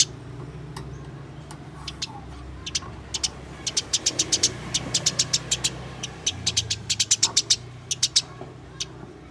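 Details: House sparrow fighting call used to get caged sparrows singing: long bursts of sharp, high chirps in rapid irregular runs, dense in the middle and later, with a steady low hum underneath.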